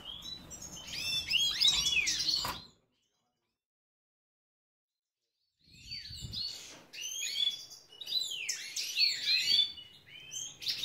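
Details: European goldfinch of the major form, captive bred in Ioannina, Greece, giving dense bursts of rapid tinkling, twittering song, broken by about three seconds of complete silence mid-recording before singing resumes.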